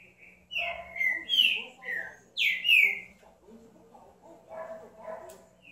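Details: Green-winged saltator song: a loud phrase of rich whistled notes, several sweeping downward, delivered quickly. Softer low warbling follows, with a steady background hum.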